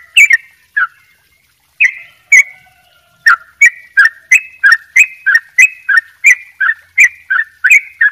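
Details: Yellow-vented bulbul opening with a few spaced chirps, a short pause, then a fast even run of sharp down-slurred notes in doubled ropel style.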